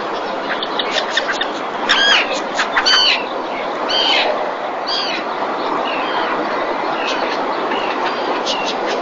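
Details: Breeding-season common terns, 2021, at Marismas Negras salt marsh in Astillero, Cantabria, Spain, around a fish delivery to the mother. Loud grating calls with rich overtones come in an irregular burst, then fade to scattered calls over constant rushing noise.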